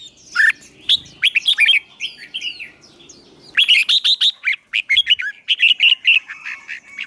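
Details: Fighting-song training of a newly caught songbird, roused to sing: bright, rapid whistled and chirping notes in two main bursts, the second longer and denser, with a quiet stretch between.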